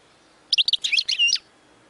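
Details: European goldfinch singing a short burst of about a second: rapid tinkling, twittering notes between high chirps, ending in a brief nasal buzzy note, over quiet background.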